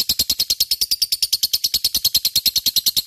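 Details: Lovebird singing a lure song meant to set other birds off: a rapid, very regular stream of high, buzzy chirps, roughly three per second, continuing without a break.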